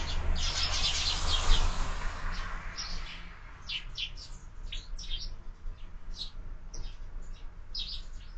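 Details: At a window-mounted feeder on a morning, sparrows give clipped, rapid chirps after an opening few seconds of broad rustling noise.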